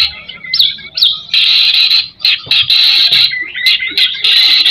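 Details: White-rumped shama singing actively, used as a lure recording to stimulate other shamas: short upward-swept whistles followed by long loud, dense warbled phrases with a brief dip midway.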